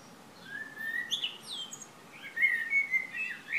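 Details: Birds singing in Šilo on Croatia's Krk island, morning of 3 June 2015. Clear drawn-out whistles, a few high sliding notes, then a bright, busy warbled phrase at the end.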